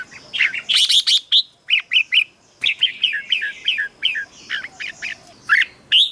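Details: Cheerful red-whiskered bulbul song for decoy use or to excite caged birds: a dense opening flurry, then evenly spaced short whistled notes, about two and a half per second, ending in a rising whistle.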